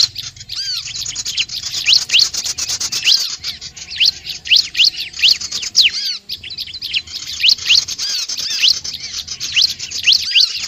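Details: Bar-winged prinia calling to attract other birds: bright, high chirps, mostly downslurred, in quick irregular bursts with brief pauses, set against a constant high-pitched hiss.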